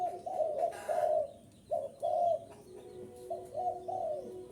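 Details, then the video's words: {'caption': 'Spotted dove coo call for luring wild doves: several loud, hollow coos at first, a brief gap, then softer, lower cooing phrases trailing on toward the end.'} "am thanh chim cu gay kich boi,rut boi ve cuc mạnh"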